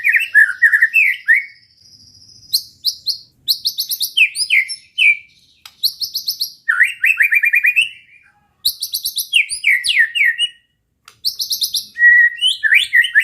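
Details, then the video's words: Provocation song of a white-rumped shama aimed at rival birds: long, varied bursts of loud whistles, trills and chattering note series, separated by short silences. "pancingan muraibatu gacor bikin murai lawan dengar AUTO EMOSI TINGGI"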